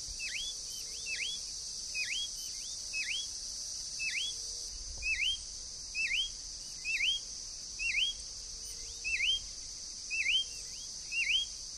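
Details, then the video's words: Wild green-backed becard calling freely in nature: clear swooping whistles that dip then rise, given roughly once per second in a steady series, with constant high-pitched insect buzz behind. "CANELEIRO-VERDE (PACHYRAMPHUS VIRIDIS), GREEN-BACKED BECARD, BICO-GROSSO livre na natureza."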